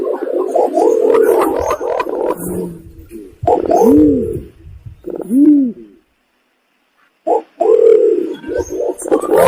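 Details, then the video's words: Imperial pigeon call used to lure birds for hunting: low, rounded humming coos that rise and fall, mixed with busier pulsed notes, and a short silent gap before the calling resumes. "suara pergam paling cocok untuk nyanggong"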